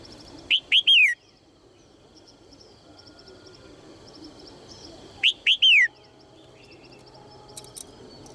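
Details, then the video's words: Two phrases from a female red-whiskered bulbul calling to get males singing, roughly five seconds apart, each two sharp upward chirps then a smooth falling whistle, with light high-pitched ticking from other birds behind. "นกหัวจุก birds - เสียงนกตัวเมียส่งเสียงเจื้อยแจ้วจูงใจนกตัวผู้ให้ร้องเพลงอย่างมีความสุข"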